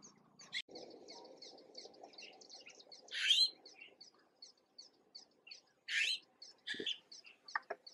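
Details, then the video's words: Recently fledged juvenile Red-billed blue magpies in Uttarakhand, India, fed by a parent: loud harsh rasping calls around three and six seconds over steady high chirping from small birds and a low hum early on. "Red Billed Blue Magpie and the babies"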